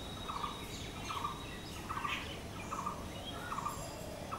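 Blue-throated barbet giving a steady series of rolling, hollow mid-pitched notes, about one every three-quarters of a second, over a hiss of background noise.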